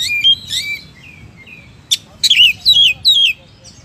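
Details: Oriental magpie-robin (kacer) singing "gacor": soft warbles, a sharp click, then three or four loud falling whistled slurs in quick succession, over a faint hum.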